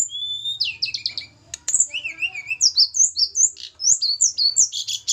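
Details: Javan mountain snowy-browed flycatcher set up for pairing pours out a lively run of high whistles, quick trills and wavering slurred notes with hardly a pause, over a low hum.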